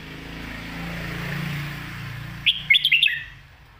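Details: Red-whiskered bulbul in a full, well-sung, quick song style meant for teaching young birds: after a steady low hum, a loud burst of rapid, bright whistled notes rising and falling, over under a second.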